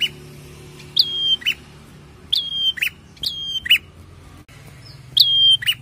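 A prinia repeats a high, piercing whistle that drops sharply onto a steady note, then ends in a short buzzy chirp. Four phrases come about every second and a half.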